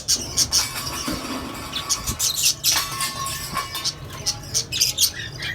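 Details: Lovebirds, cockatiels and budgies in a shared colony giving clusters of high sharp chirps with short pauses, some scratchy squeaks, over a steady low mechanical hum.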